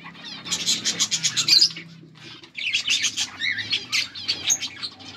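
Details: Breeding budgerigar pair kept as pets, August 2024: rhythmic pulses of scratchy warbling chatter for about two seconds, a brief pause, then more twittering with whistled upslurred squeaks and chirps.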